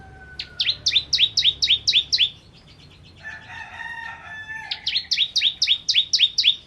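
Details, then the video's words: Bar-winged prinia (ciblek) in kristal-style singing: rapid series of paired downslurred high notes, about four per second, in two runs with soft lower whistled tones between. "Ciblek Kristal Gacor"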